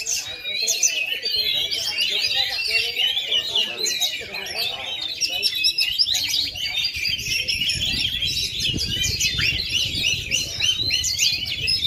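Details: Oriental magpie-robin, a kept bird that has gone 2.5 years without moulting yet still sings at full power, produces a long, relentless medley of rapid whistles, trills and chatter, with background rumble and voices growing later.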